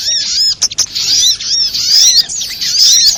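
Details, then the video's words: Sogok ontong or little spiderhunter lure sound for bird trapping: sharp, high chirps with arched notes, a stuttering break early on, then steady, busy calling. "suara pikat burung sogok ontong"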